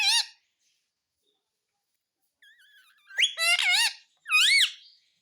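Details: Indian ringneck parakeet in a room, said to mimic "mummy papa": a short bright call, a pause, then a wavering whistled lead-in and two loud, warbling, up-and-down harmonic phrases.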